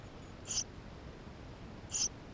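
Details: Eurasian tree sparrow nestlings begging inside the nest, filmed with a GoPro in May 2016: two short, high, squeaky cheeps about one and a half seconds apart over a quiet, steady background hiss.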